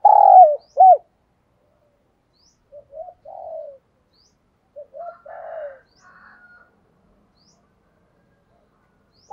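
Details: Decoy spotted dove cooing to lure wild doves: a loud hooked coo phrase opens, then softer, broken low cooing notes and a faint warble follow, with long silent gaps.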